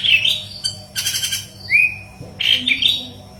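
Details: Yellow-headed leafbird singing intensely (gacor), used as tutor song for greater green leafbirds: varied whistled and chattering phrases, a rising slurred whistle near the middle, and a brief buzzy rattling burst early on.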